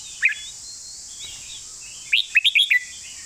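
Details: Master-style song of a red-whiskered bulbul. A single bright note opens it; after a pause comes a quick phrase of five lilting whistled notes. A constant high hiss runs throughout.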